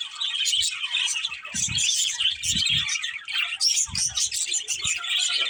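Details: Constant high-pitched twittering and scratchy warbling from a group of budgerigars, broken by a few dull low knocks.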